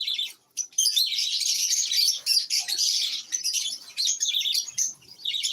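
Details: Pet lovebirds kept at home chatter in a busy flock, high squeaky twittering notes crowding together in bursts with brief quiet gaps.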